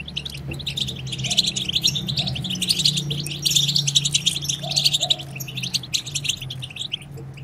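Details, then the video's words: Continuous high goldfinch twittering, batbata meant to stimulate silent goldfinches. Dense, rapid chattering notes run almost without pause above a steady low background hum. "هيجان خرافي وتحفيز من أول دقيقة بتبتة حسون خرافية لن يهدأ حسونك بعد سماعها قل وداعا لصمت الحسون"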